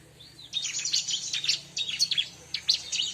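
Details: Bar-winged prinia lure recording: after a soft opening note, a rapid, lively run of high chirps and twitters with a brief break before the last burst.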